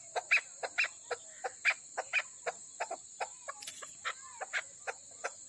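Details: Female chukar from the Koh-i-Suleiman region, Pakistan, making slower, irregular clucks roughly two per second, some faint and some strong, with a brief sliding note near the end and a continuous high hum.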